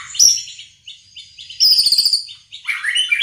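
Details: White-rumped shama singing and building up its song: three bursts of varied high, rapid chirps and trills, the middle one opening with a sharp whistled note, separated by short pauses.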